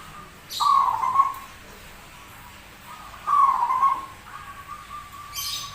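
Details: Zebra dove with a strange but persistent voice: two rich, rolling coos about two and a half seconds apart, each trailing off with softer notes, over a faint steady background tone.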